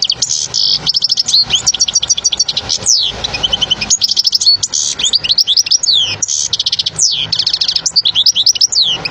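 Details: European goldfinch song used to teach young birds, a rapid, tumbling run of high chirps, tinkling trills and sweeping downslurred whistles, nearly unbroken, with faint background hum.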